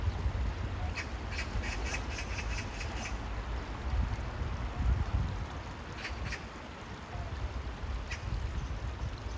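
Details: Rapid run of about seven harsh chattering notes from an Oriental magpie near water in hot weather, followed by a short pair and a single note, over low rumbling ambient noise.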